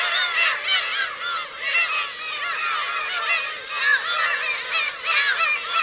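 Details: Black-tailed gulls with their chicks on Teuri Island's Kurosaki coast, Hokkaido, 17 June 2021, filling the air with a steady mass of overlapping nasal mewing cries, rising and falling in loudness.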